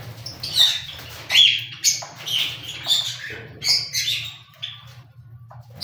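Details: Cockatiels repeating short, rasping, whistled squawks roughly once a second, the notes uneven in spacing and pitch, with a low hum underneath.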